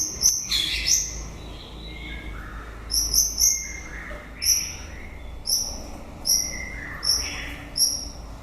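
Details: End-of-breeding-season song of a white-rumped shama: short, bright, high notes repeated about every half to one second in small clusters, with softer lower whistles slipping in between, against a faint steady hum.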